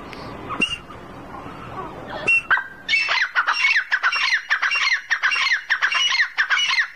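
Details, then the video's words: Calling grey francolin: two sharp notes over background hiss, then a loud, rapid chain of shrill, rattling phrases repeated in quick succession until the end. "Grey francolin teetar calling"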